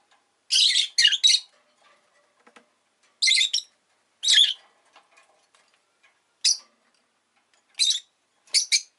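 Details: Agapornis roseicollis, the rosy-faced lovebird, calling indoors as a pet: a double burst of harsh, buzzy chirps, then spaced single squawks every one to two seconds, with faint background rustles.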